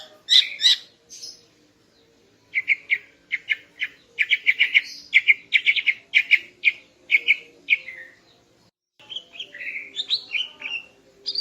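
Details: Greater green leafbird female in morning song intended to arouse a male: opening chips, then a long fast chatter of buzzy notes, ending with varied slurred whistles after a short gap.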